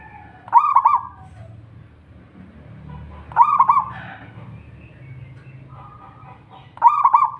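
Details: Zebra dove of local wild stock singing hard to lure other doves into song: three rolling, trilled coo phrases, roughly three seconds apart, over a low hum with faint calls between.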